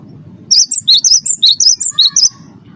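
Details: Wingko Cinereous tit, first-place champion, used as a singing lure: ten quick, clear, high-pitched notes alternating up and down in a lively burst, then a short lower buzzy note near the end.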